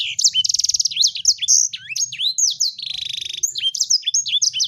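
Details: Sanger bird in continuous song, mixing fast buzzy rattling trills with sharp swooping whistles and chirps, all very high and rapid, over a soft low background hum.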